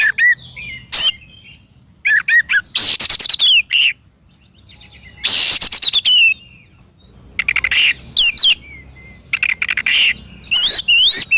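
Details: Oriental magpie-robin singing a long, varied sequence: quick whistled slurs, hooked whistles, and repeated bursts of harsh rattling notes ending in falling whistles, delivered almost continuously.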